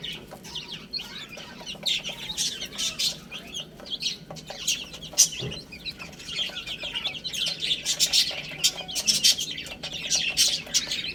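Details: Little chicks eating and playing; softer, scattered peeps at first, building to louder clustered high chirping later, with small clicks of pecking throughout.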